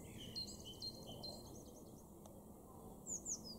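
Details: In a garden in Weener, East Frisia, northwestern Germany, in April 2021, a Eurasian blue tit gives thin, very high notes in a quick run, then two sharp downslurred tsee calls, over a soft outdoor hush.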